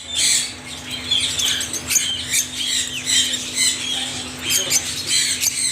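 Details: Parrots in a noisy group, giving dense, overlapping shrill squawks and chattering screeches that follow each other without pause, all high-pitched, with a faint steady low hum underneath.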